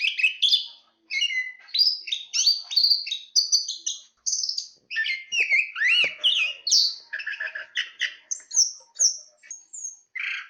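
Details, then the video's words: Chestnut-capped thrush (anis kembang) singing with wind noted: a long run of varied whistled and slurred phrases, rising and falling notes mostly high-pitched, delivered in rapid bursts with short pauses. "Suara Kicauan Burung Terapi Anis Kembang"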